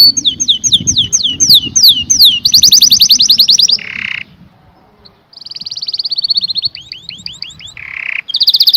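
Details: Canary song of repeated rising slurred whistles and a quick rolling trill, a harsh buzzy note, a pause, then another even roll, descending sweeps and a second buzz.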